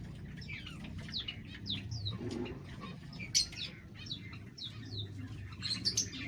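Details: Pet Bengalese finches (society finches) in an aviary give a steady stream of thin, high chirps and short rising notes, several birds overlapping, over a low background hum.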